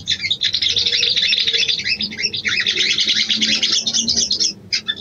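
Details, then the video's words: Female sooty-headed bulbul calling to a male as a breeding lure, pouring out a steady, dense high chatter for over four seconds before ending in a couple of short chips. "SOGON BETINA MEMANGGIL JANTAN‼️ PANCINGAN BIRAHI"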